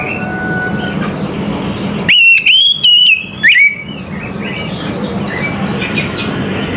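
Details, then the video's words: Morning singing from an Oriental magpie-robin. Against soft twittering and a low drone, a few loud, sustained whistles waver and then slide downward in under two seconds, followed by fainter chirps. "TERAPI KACER PAGI HARI"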